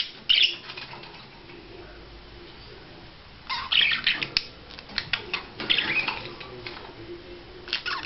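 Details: Budgerigar in courtship display: a brief squeaky burst, a quiet pause of about three seconds, then renewed rapid warbling chatter with clicks and chirps.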